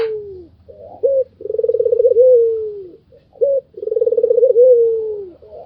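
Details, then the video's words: White Barbary dove, a kept bird, repeating its laughing call roughly every two and a half seconds: a clipped note, a rapid pulsing roll, then a long falling coo. "SUARA KETAWANYA BIKIN EMOSI BURUNG LAIN ll SUARA MERDU BURUNG PUTER PUTIH"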